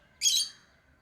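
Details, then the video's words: A pet lovebird gives one loud, shrill squawk lasting about a third of a second, harsh and high-pitched, followed by quiet. "Love birds Sounds | lovebirds chirping sounds"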